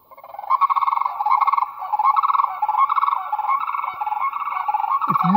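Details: Sandhill crane, very loud, heard at night during an annual bird count on farmland slopes of Sodom Mountain, Granville: a loud, rolling, trumpeting rattle pulsing steadily for about five seconds, with a brief low sound at the end.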